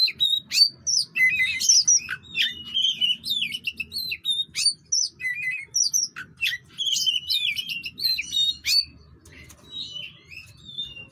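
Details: White-rumped shama in lively, varied song: rapid high whistles, chirps and sweeping slurred notes in quick bursts, pausing near the end.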